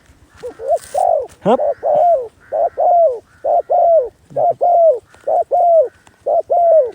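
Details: Spotted dove calling as a decoy for wild doves. Rhythmic hollow coos pair a short lead note with a longer downward-curving coo, repeating roughly every second, after a brief clatter near the start.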